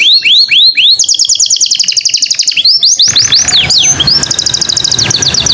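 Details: Canary lure song for getting other birds to sing: rising slurred notes lead into a tight, fast trill of repeated high notes, followed by swooping tours over a light background noise.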